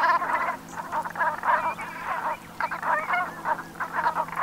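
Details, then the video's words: Autumn flock of Brent geese in Brittany's Gulf of Morbihan at sunset, 7 November 2021: throaty, crackling murmurs rise and fall in bursts roughly every half second over a constant low drone. "BERNACHES Cravants/Automne/Ambiance Sonore"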